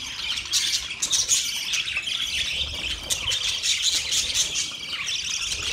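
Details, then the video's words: Budgerigars on a morning of 1 October 2023, a dense chorus of overlapping high chirps, squawks and warbled chatter that runs without pause, with several voices calling at once. "Beautiful morning birds chirping sounds"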